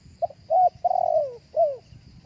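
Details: Spotted dove giving its live cooing phrase, used with a speaker to attract other doves. The phrase runs as a short note, a flat coo, a long burred coo gliding down, and then a falling closing coo over a soft, constant high insect hum.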